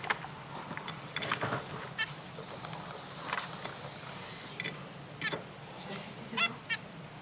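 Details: Three zebra finch chicks giving short, nasal, honking calls, scattered singly and in small bursts near two, five and six and a half seconds, over a steady low hum and soft clicks.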